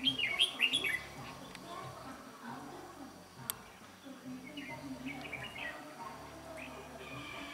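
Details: Red-whiskered bulbul used as a trapping decoy, singing to fight: a burst of bright chirpy warbled notes at the start, then fainter scattered phrases over a low background hum with murmuring voices.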